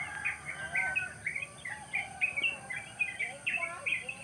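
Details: Morning chorus of wild birds over village rice fields: quick, sharp, slightly rising chirps tumble out in an uneven stream, about three or four per second, with fainter softer calls beneath and a constant high-pitched background hiss.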